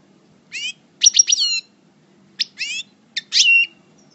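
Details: European goldfinch of subspecies parva, a coupleur-style singer in moult, from El Bordj: short separated phrases of buzzy, rising twittered notes in brief bursts with pauses between them, over a faint low background hum.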